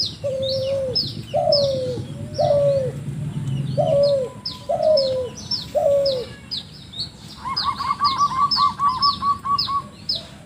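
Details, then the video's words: Spotted dove giving an odd-sounding call for luring: six short, slurred, falling coos about a second apart, then a rapid level trill, with steady high twittering of small birds behind. "burung balam suara aneh"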